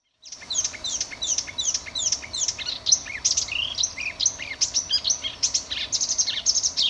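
A Marsh warbler sings a fast, unbroken stream of high, varied notes: sharp chips, trills and rapid chattering phrases, with faint background hiss.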